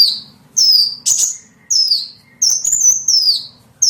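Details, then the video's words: Small bird call played to attract small birds: sharp high whistles that glide downward, several in under four seconds, some preceded by a short level note. "SUARA PIKAT BURUNG KECIL"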